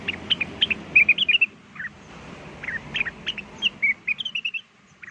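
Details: Blue-winged leafbird lure song meant to make wild birds answer: quick bursts of sharp, high chirping and whistled notes in uneven groups, over a steady low background hum.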